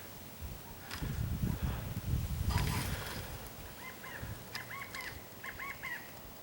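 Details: A California quail heard outside California gives short groups of clear, slurred notes, rising then falling, in the second half; rustling and low noise from outdoor concrete edging work fill the first half.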